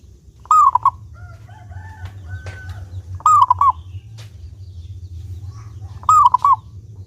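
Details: Clear-voiced local zebra dove from Indonesia, singing keenly as a lure to encourage other doves, repeats a loud cooing phrase three times, about every three seconds: a drawn-out note dropping into short knocking coos, with low background hum.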